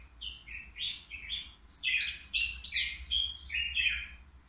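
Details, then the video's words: European goldfinch, three years old, caged at the Qriaa bird market and sold as a flawless singer, delivering a fast continuous warble of tinkling, buzzy and twittering notes that thickens into a dense rattling burst mid-phrase. "الموقنين بدون أخطاء"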